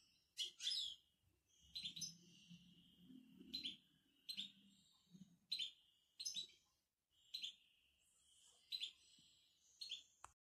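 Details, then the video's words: Moroccan European goldfinch's betbeta: short, sharp twittered phrases of high tinkling notes repeated roughly every second, each burst brief and emphatic, with a faint low murmur in the background during the early phrases. "بتبتة الحسون المغربي"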